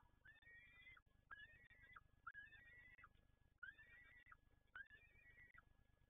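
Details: Peregrine falcon at PGE Toruń repeats a two-part call about every 0.6 seconds: a sharp rising note sliding into a wavering, whining tail. The series is steady and fairly quiet, over constant low hum.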